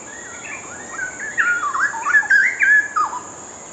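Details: A pair of Straw-headed Bulbuls duetting on a perch, one preening between turns; a short, rhythmic, melodious song of rich warbled whistles sliding up and down in quick bubbling phrases, repeated and overlapping, with a steady high hiss behind.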